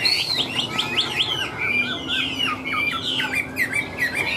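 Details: Chinese hwamei, a wild-caught bird, singing a loud, rich run of varied whistles, with rapid slurred phrases rising and falling, and no pauses between them.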